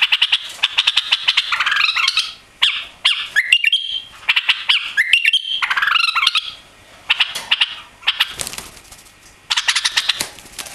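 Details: Caged white-eared bulbul, newly arrived, singing long busy bursts of rapid chattering and warbled whistled notes, with a short broadband rustle midway.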